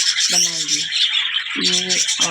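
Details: Zebra finches kept with budgies for breeding give nasal, honking calls over a dense wash of high twittering from many small birds.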